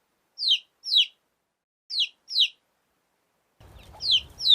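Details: Domestic hen's baby chick gives clear, high peeps that slide steeply downward, in spaced pairs across a few seconds, with a soft low background rumble entering near the end.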